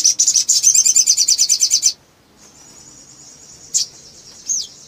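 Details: Little spiderhunter calling energetically to provoke rival birds into singing: a rapid, even burst of very high chips for two seconds, then quiet with a thin steady whine and a couple of isolated high notes.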